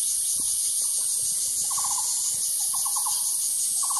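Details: Calls of a Taiwan barbet: three rapid clusters of four or five hollow notes, the later ones arriving closer together, set against a constant shrill insect hum and faint low rustling.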